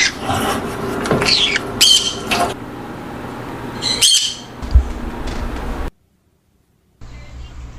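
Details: Green-cheeked conures in aviary colony breeding: a cluster of harsh squawks, a loud screech near the middle, quieter chatter, then a sudden silence before faint sounds resume.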